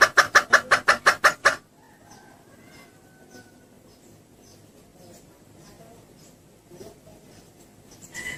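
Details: Female red junglefowl lure call, used to draw males close: a quick burst of eight sharp clucking notes in about one and a half seconds, then only faint background hiss with a few soft rustles.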